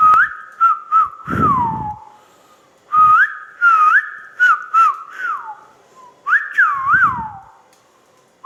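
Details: Ringneck parrot whistling a sweet, slurred phrase of rising and falling tones, repeated in short bursts with brief pauses, some notes bending downward; faint low thumps underneath.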